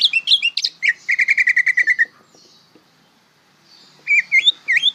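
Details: Greater green leafbird, young and still learning its song, delivers looping whistles followed by a quick even rattle of about a dozen notes, then silence and a few more slurred whistles.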